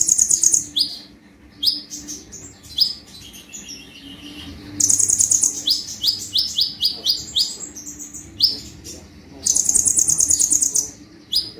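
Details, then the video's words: Full 'tembakan' song from a gacor konin (brown-throated sunbird): repeated bursts of buzzy high trills and rapid sharp chips, phrases recurring every few seconds, with a faint low hum. "KONIN GACOR FULL TEMBAKAN"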